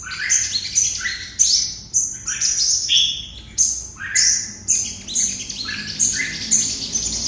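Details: 'Hút mật' song of a red-whiskered bulbul, Đồng Nai, Vietnam: lively bursts of bright, warbled notes sweeping up and down, repeated in rapid phrases roughly twice a second.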